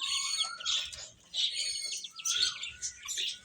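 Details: Several chicks chirping while feeding, shrill peeps in pulses about every half second, with a lower drawn-out whistled note underneath.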